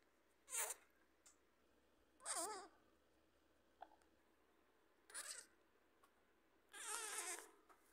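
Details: A pet lorikeet named Mango makes "fart" sounds: four short, wavering raspy bursts with a buzzy, trembling quality, spaced about one to two seconds apart, in a quiet room.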